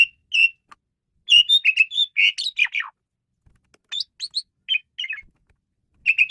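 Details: Asian pied starling singing as a tutor for training songbirds: short held whistles, then a rapid jumble of chirps and downslurred rasping notes, pauses, and further clipped whistled phrases.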